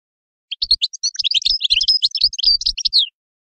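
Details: European goldfinch singing a lively phrase of about two and a half seconds, made of high liquid chirps and quick twittering slurs.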